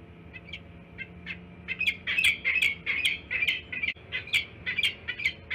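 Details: Peregrine falcons at a Pennsylvania site on February 12th, around midday, with tension in the area; harsh, scratchy squawks repeated rapidly in uneven loud bursts, about two to three per second, over a low steady hum.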